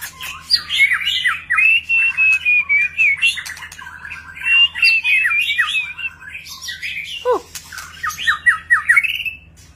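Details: White-rumped shama (murai batu) in display, delivering a long varied song of many voices: rapid series of sharp rising notes, sweet whistled runs, a sudden deep downward swoop, and harsh clicks, with low background hum.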